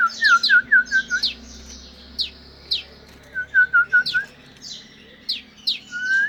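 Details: Morning song of canaries: two runs of quick repeated mid-pitched notes separated by a pause, with several higher sharp descending sweeps and buzzy trills from other birds throughout, ending on a rising whistle.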